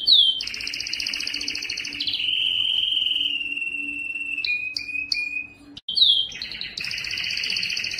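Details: Belgian canary song, loudest form used to win females for breeding: a sweeping high note into buzzy trills, a long sustained whistle, clipped chips, and a final rolling trill.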